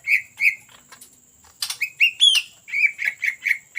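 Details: Greater green leafbird, singing eagerly in the ngetrok style as a lure. Two rich whistles are followed by a pause, then a rising squeal and a quick series of five or six similar whistled notes.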